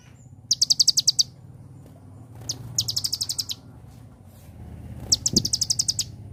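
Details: Three fast, high, rattling trills from an Olive-backed Sunbird, each about half a second to a second long, in a celilin-flavoured song over a noticeable low rumble.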